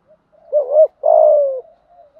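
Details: A spotted dove's challenge coo, meant to provoke and train decoy birds: one deep phrase made of a brief bouncing two-part note, then a drawn-out even hoot easing lower in pitch, with near silence around it.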